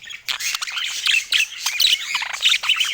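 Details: Budgerigar warbling in bursts: clusters of quick, squeaky, whistled notes with short gaps between them, bright and close.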